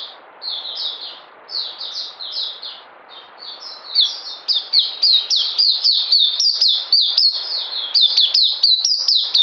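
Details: Kept oriental white-eye singing a string of high, sweet twittering notes that start loose and quicken into a rapid, steady chatter of about four chirps per second.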